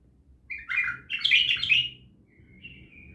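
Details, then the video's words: Bulbul from Naft Khaneh gives a chattering phrase of bright, warbling notes, two loud clusters close together, then a softer thin drawn-out note trailing off after a pause, in a quiet setting. "بلبل خام نفط خانه"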